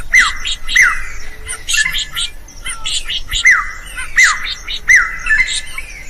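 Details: Drongo song played to train other birds: loud whistled notes that fall sharply, repeated about every second, mixed with harsh raspy squawks between them.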